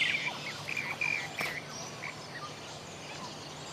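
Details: Wild Rainbow Bee-eater recorded in Cairns, Australia: several short, buzzy rolling notes repeated about once a second, fading out, with one sharp click and faint distant birdsong behind.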